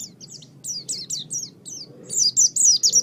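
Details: Pet-bird training recording of oriental white-eye song: spaced, thin, downward-sliding chirps at first, then a louder, quicker burst of high twittering notes.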